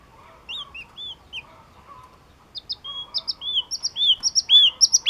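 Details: Yellow-cheeked tit song that starts as a few scattered chirps and swells into a rapid, loud series of sharp, bright double notes and whistled slurs toward the end, with a faint low hum behind.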